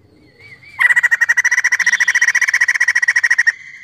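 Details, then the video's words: Energetic crested laughingthrush song used to set other birds singing: a short wavering whistle, then a loud, fast, steady train of pulsed notes held for nearly three seconds. "POKSAY JAMBUL GACOR UNTUK PANCINGAN BUNYI"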